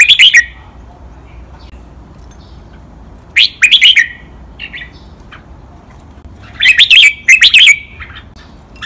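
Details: Training song of a caged red-whiskered bulbul in the doubled, counted-note 'lak wai' master style. Three bursts of rapid, bright, slurred whistles are separated by pauses of about three seconds, with a few soft notes between them.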